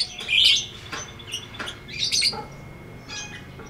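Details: Lovebird ngekek song meant as training audio: a loud shrill squawking chatter opening, followed by softer irregular high chirps.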